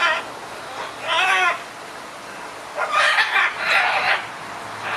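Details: Red-and-green macaws arguing: a harsh wavering screech, a pause, then a run of loud grating squawks and another starting as it ends.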